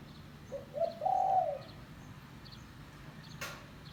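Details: Spotted dove lure call: one phrase of two short coos and a long mellow hoot, faint small-bird chirps in the background and a sharp click near the end.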